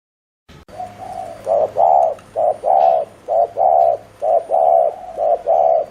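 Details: Spotted dove decoy calling in the quick 'gù' (bo) manner used to excite wild doves: after a brief silence, five strong short-long coo pairs follow each other evenly.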